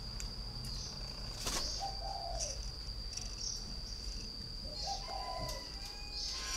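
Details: Spotted dove, a caged three-year-old decoy bird from northern Vietnam, coos twice in short mellow phrases that slur downward. A constant high insect drone, chirping crickets and sharp clicks run throughout.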